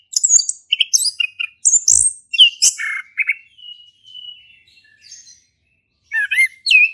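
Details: Male orange-headed thrush singing in the ngeplong style to prompt a silent thrush: rapid high chirps and whistles, then softer drawn-out thin notes fading, a pause, and a final loud falling-rising whistle.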